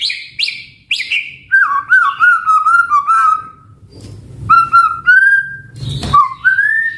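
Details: White-rumped shama giving loud descending whistles followed by a series of mellow, evenly spaced warbling notes, then pure whistled phrases sliding upward, with a brief noisy burst near the end.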